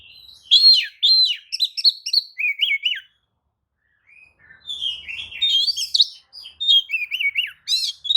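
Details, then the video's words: Lure song of an Oriental magpie-robin meant to make other magpie-robins answer: lively bursts of fluty, looping whistles and rapid chatter, a brief silent break, then a second busy stretch of song. "kicau pancingan kacer buka ekor"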